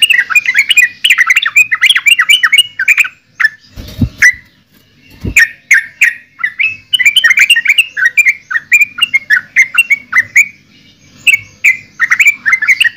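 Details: Yellow-vented bulbul pouring out a long, almost continuous chattering song of bubbly slurred notes, broken by a couple of brief pauses and two low thumps.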